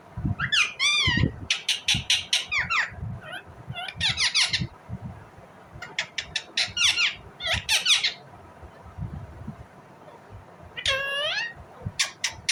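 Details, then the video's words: Indian ringneck parrot giving a long, varied series of chirps: quick sharp ticks, harsh rasping bursts and curling squeaky notes in clusters, with pauses between them and low knocking noises in the room. "Indian Ringneck parrot Natural sound, parrot chirping sound"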